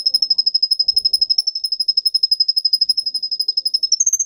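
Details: Singing Russian canary, recorded for teaching young canaries, rolling a fast, clean, high trill of about four pulses a second that stays level, then jumps slightly higher at the end.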